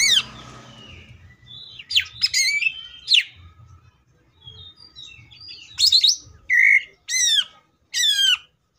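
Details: Greater green leafbird song in 'tembakan' style, with scattered sharp chips and whistles, then a series of loud steeply descending whistled notes near the end, separated by short silences.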